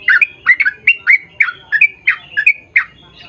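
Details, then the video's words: Yellow-vented bulbul giving lively bubbling song meant to make others answer: throaty gurgled notes with whistled endings, about three a second, trailing off near the end. "KICAU SUARA trucukan gacor ROPEL PANJANG pancingan trucukan agar bunyi MENJADIKAN trucuk gacor NYAUT"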